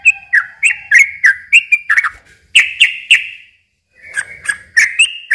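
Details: Yellow-vented bulbul pouring out rapid liquid phrases used as a lure for young birds; quick falling whistles with clicky attacks, broken by a short pause before a fresh burst starts.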